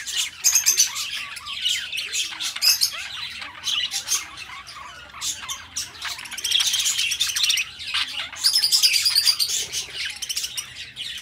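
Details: Pet budgerigars kept as companions, chattering nonstop in dense, scratchy, high warbles mixed with sharp clicks and squeaky whistles, with brief quieter gaps before the busy chirping swells again.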